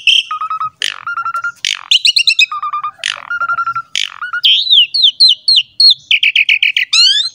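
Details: Varied, richly stocked singing of an Asian pied starling, used to prompt young starlings to sing: rapid clear whistled notes, steady level tones, chattering trills and sliding phrases, with frequent abrupt changes of pitch and pattern.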